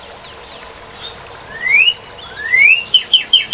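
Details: Northern cardinal: faint high chips give way to loud, clear whistles sliding upward, each rising slur repeated, then short sharp notes near the end. The background is quiet.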